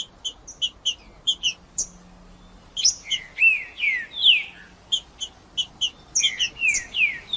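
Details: Wild green-winged saltator singing in the bush, offered as stimulating sound to warm up a cold bird. A run of clipped high notes gives way to rich, descending slurred whistles, then more quick short notes.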